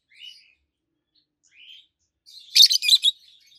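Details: Two adult peach-faced lovebirds chirping: soft thin rising squeaks early on, then a sudden loud cluster of three harsh high chirps in quick succession.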